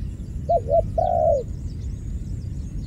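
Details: Dove giving two quick hollow coos followed by a longer, slightly falling coo, with faint high chirps of small birds and a low background hum.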